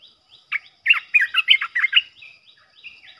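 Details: Olive-winged Bulbul decoy bird for trapping: a lively burst of loud, liquid, bubbling notes in quick succession, framed by quieter short chirps.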